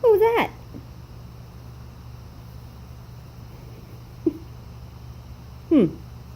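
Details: A pet macaw dancing indoors gives three short, voice-like calls that slide downward in pitch, spaced a few seconds apart, over a steady indoor hum.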